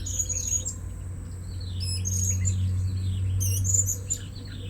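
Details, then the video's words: Lured blue-crowned hanging parrots chatter in loud, high, squeaky chirps and short trills throughout, over a continuous low hum and a faint steady high tone. "Memikat Burung Serindit Di Port Yang Baru"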